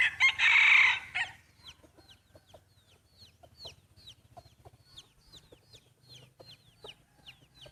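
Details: Breeding rooster crows loudly at the start of its first contest, one coarse, buzzy call of just over a second, then only faint, repeated high chirps of small birds continue.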